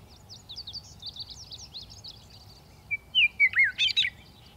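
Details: Western meadowlark sings over a soft low background hum: a thin run of quick high chirping notes, then a loud burst of rich, liquid, fluting warbles that swoop up and down near the end.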